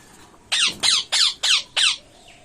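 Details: A series of five harsh, grating squawks from ringneck parrots, evenly spaced about a third of a second apart, each a noisy downward-sweeping burst.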